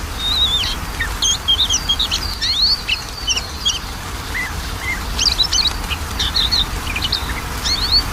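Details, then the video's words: Oriental magpie-robin song played to encourage a lazy singer: dense, jumbled bursts of high chirps and sharp whistled trills in two main runs, separated by a brief quieter gap, with steady hiss beneath. "PANCINGAN KACER MALES BUNYI"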